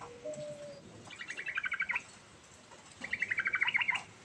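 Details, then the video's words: Yellow-vented bulbul giving 'ngerol' rolling song to draw a reply: two bursts of fast, bubbly, chattering notes, each about a second long, separated by a short pause, with a faint lower whistle at the start. "Burung Trucuk Ngerol Gacor"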